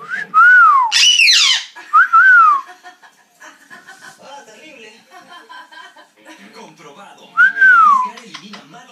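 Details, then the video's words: A Cuban amazon parrot makes a strange noise: three rising-then-falling whistled notes, spaced irregularly, with one harsh, screechy burst near the start. Faint room sounds fill the gaps. "Cuban amazon parrot making strange noise"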